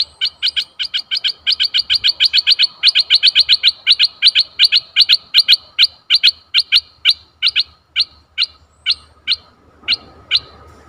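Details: Decoy bulbul luring a very old wild bird on 11 August 2021: a long series of sharp, high clipped notes, very rapid at first and gradually slowing to about one every half second near the end.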